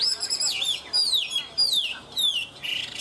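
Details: Chinese hwamei singing without a break, long high whistles that slide downward, four or five bold phrases with short gaps, clean and loud against a quiet background.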